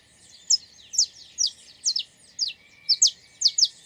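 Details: High, downslurred chirps from a wild saffron finch, evenly spaced about half a second apart, some notes doubled, with little else audible in the background.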